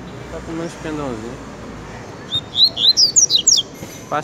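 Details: Pet double-collared seedeater (coleiro) bursting into a quick run of high clipped chirping notes after a man speaks, about ten notes in just over a second.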